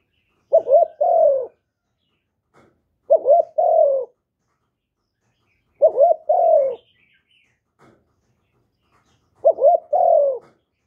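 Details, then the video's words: Spotted dove from Vietnam, recorded cleanly to urge newly caught birds into calling; four evenly spaced phrases about every three seconds, each a short stuttering double note then a drawn-out descending coo. "Chim Cu Gáy GỌI+THÚC+GÙ bài bản giúp bổi nhanh nổi, tiếng chim cu gáy việt hay"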